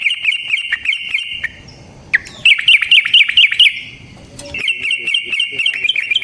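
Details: Yellow-vented bulbul rolling lure song: fast, even strings of bubbly whistled notes, pausing briefly between bursts, with a sharp click and soft rumble in the gaps.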